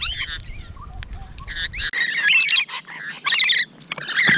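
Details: Rainbow lorikeets at close range on the morning of 12 June 2017, loud harsh screeching bursts and softer chattering between, with a low rumble early on.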